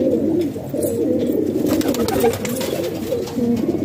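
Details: A flock of domestic pigeons in Pakistan makes steady overlapping throaty coos, low and wavering, with soft clatter and rustling around them.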